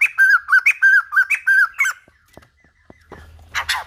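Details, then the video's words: White-crested laughingthrush song used to train a young bird's voice, billed as true old-forest style: a run of about eight rich, harmonic, slurred whistles, each rising then falling, for two seconds, then faint clicks and a burst of noise. "Khướu Đầu Bạc / Chim Bồ Chao / Ép Giọng Chim Non / 100% Chuẩn Rừng Già"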